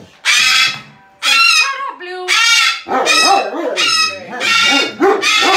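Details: Coca, a 23-year-old female rescued umbrella cockatoo that uses profanity, gives six loud, harsh screeches in under six seconds, each about half a second, mixed with wavering, voice-like sounds.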